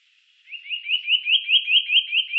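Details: Eurasian nuthatch, 2018: a quick, even series of about ten upslurred whistled notes that swells in loudness, clear and piping, with nothing else audible.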